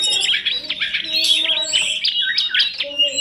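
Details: Compilation of kacer, tledekan gunung and prenjak songs used for training birds: a rapid, continuous jumble of high, scratchy chatter and clear whistled notes, varied and overlapping, with a faint low hum beneath.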